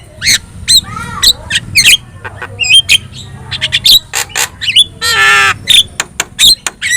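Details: Yellow-eyed Javan myna in full, energetic song used as a tutor recording to train other birds: a rapid jumble of sharp whistles, clicks, rising slurs and a harsh rasping burst, delivered in quick irregular bursts with a low hum underneath.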